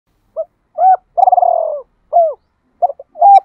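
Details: Captive decoy spotted dove giving the call style known as gọi hai hậu, or giọng đôi ròng: a short note, an arched coo, a long purring quavering coo sliding downward, another arched coo, then two closing coos.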